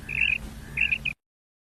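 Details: Female common quail call, used to lure quail for hunting in ripe wheat fields: two short bursts of high, chirpy, slightly buzzy notes about 0.6 seconds apart, the second with a quick extra note, over a low background hum.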